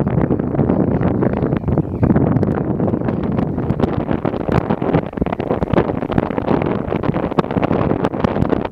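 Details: Heavy wind roars against the microphone, with a constant low rumble and crackling gusts, and no animal voice comes through.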